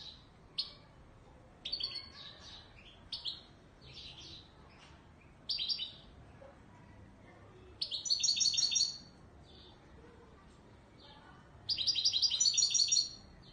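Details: European goldfinch of the Moroccan Wedani Marrakchi type, described as authentic, singing: bright, metallic twittering bursts separated by short pauses, the later phrases longer and denser with rapid buzzy trills, over a quiet background hum.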